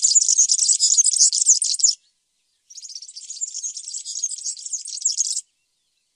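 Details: European serin song comes in two long, fizzy, high-pitched outbursts, each about two to three seconds long. A short quiet gap separates them, and the final outburst is cut off at the end.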